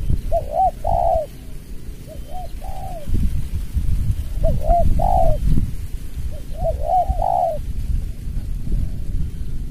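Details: Spotted dove competing against a lure bird in a calling contest, in the suara rapat ngeruk style: phrases of low soft coos, short notes rising into a longer drawn-out coo, repeated about every two seconds over rumbling low background noise.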